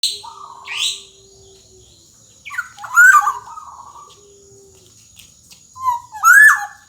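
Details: Golden black-naped oriole giving gacor dor jonbreak style song, used as a tutor for young orioles learning to sing: three loud fluting phrases, each a rising whistle that breaks into buzzy, falling notes, spaced a few seconds apart, with a steady faint hum.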